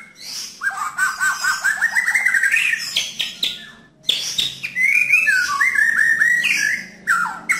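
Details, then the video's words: Singing white-rumped shama, rough and clear 'nembak' delivery to help a shama that has stopped singing; a fast rising series of chattering notes, then rich looping whistles and descending slurs. "Murai Batu Nembak Kasar dan Jernih Untuk BANTU Murai Batu Macet Bunyi"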